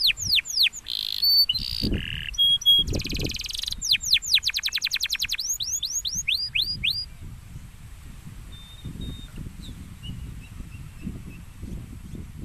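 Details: Champion canary singing a varied song of rapid trills, short whistled notes and a long series of quick rising sweeps, then fading to faint distant notes over background noise.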